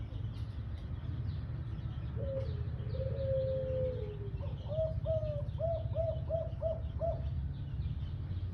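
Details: Pure white Eurasian collared dove performing a five-note 'kuk 5' cooing style: a drawn-out, low hollow coo, then a run of about six short, evenly spaced coos, over steady low background rumble.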